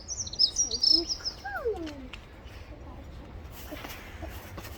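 Pied bushchat, female, giving a quick burst of high, buzzy chattering notes, followed by a few lower, falling whistled slurs against steady outdoor hiss.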